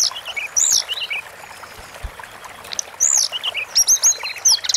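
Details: Sunda forktail singing for masteran training: separated high, arched whistled notes, then a fast run of repeated upslurred whistles near the end. Gaps of soft background hiss fall between the phrases.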